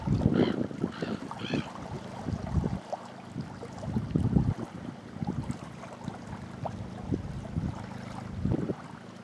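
Flying steamer duck giving a few short, hoarse honking notes in the first two seconds, over steady rumbling wind and lapping water.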